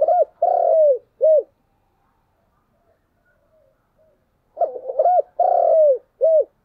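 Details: A spotted dove kept as a decoy calls in the morning: a long falling coo and a short note, then after a pause a stuttered opening, a drawn-out downward coo and a brief final coo.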